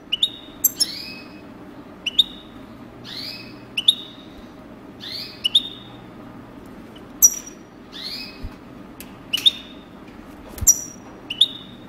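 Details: European goldfinch used for breeding, repeating sweeping rising whistles about every one to two seconds, mixed with brief high chips and sharp clicks, against a faint low hum.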